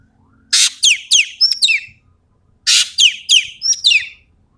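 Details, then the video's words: Common green magpie from Sumatra singing in the 'tembakan' style. Two near-identical bursts each open with a harsh rasp and run into four or five quick, falling whistled notes, two seconds apart. "BURUNG EKEK KELING SUMATERA GACOR FULL MATERI TEMBAKAN"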